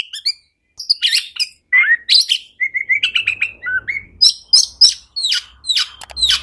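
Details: Oriental magpie-robin singing, used as a lure to get reluctant birds singing. A continuous, varied string of bright whistles, buzzy chatters and quick high chips with hardly a pause, ending in rhythmic repeated sharp notes. A faint low rumble runs underneath.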